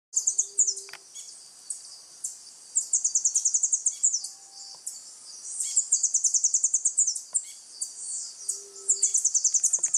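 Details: Rufous-headed tanagers near home, with other flock calls in the background: very high, thin, rapid ticking series in bursts of one to two seconds, overlapping as a flock; a soft low hum sounds briefly.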